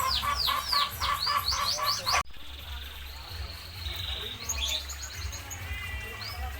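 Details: Zebra finches in a minimalist aviary made to feel natural. A quick burst of sharp, descending chirps in the first two seconds, then a held thin tone and scattered soft calls, over a constant low droning hum.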